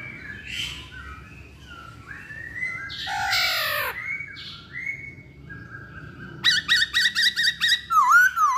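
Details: Chinese hwamei in full song, delivering a varied medley: soft slurred whistles, a harsh buzzy burst, level drawn-out whistles, then a fast run of sharp repeated chips ending in a looping whistle.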